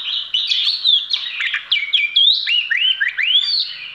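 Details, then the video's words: Caged Oriental magpie-robin performing its song: a continuous stream of loud whistles, quick up-and-down slurs and looping notes, several short rising sweeps near the end, with no background noise. "Chim than trị giá 1tỷ đồng hót biểu diễn"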